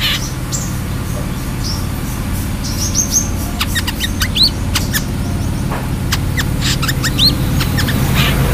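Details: Brown-throated sunbird in lively song: scattered thin, high chirps and short upward-sweeping whistles, some clustered in quick runs, others spaced apart, set against a constant low droning background.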